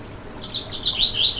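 Yellow-bellied Seedeater giving a quick run of high, sliding whistled notes that rise and dip, four phrases in about a second, over faint background hiss.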